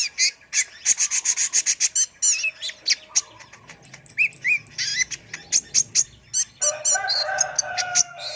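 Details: Tutor recording of an energetic brown-throated sunbird (kolibri ninja): quick runs of sharp high ticks about four per second, then slurred whistles and a rough buzzy chattering phrase near the end.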